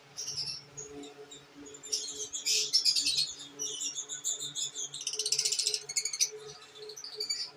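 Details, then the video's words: Pet lovebirds of different kinds, with babies: high, thin chirps and twittering bursts come and go, rising to a busy chatter in places, over a faint low hum. "Love bird beautiful kinds and babies"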